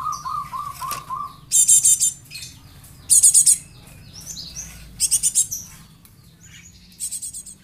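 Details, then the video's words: Young Java sparrow kept as a lure bird. It gives clusters of four or five rapid, high, rasping chirps, repeated about every one and a half seconds. A run of lower whistled notes opens the recording, with faint background hum. "Glatik anak,an pancingan"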